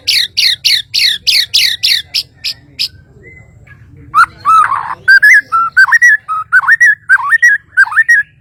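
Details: Kalimantan murai batu, a white-rumped shama, opening with a rapid train of high, harsh chattering notes, pausing, then switching to rich, loud, wavering whistles in a varied tumbling sequence.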